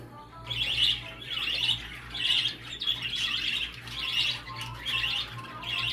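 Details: Budgerigar sound used to stimulate a male for mating: bursts of bright, scratchy warbling chatter repeated roughly every second, over a steady low hum indoors.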